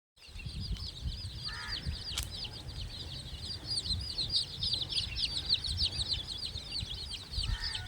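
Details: Hen with chicks: dense, rapid high peeping chirps run almost continuously, broken by a few short, lower clucking bursts, over a steady low rumble.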